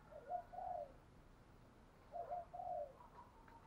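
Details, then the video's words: Distant, soft cooing of a decoy spotted dove against a hiss of background noise: two similar phrases, each a short low note and a longer mellow coo. "chim cu mồi thúc gù bài bản nhất hiện nay"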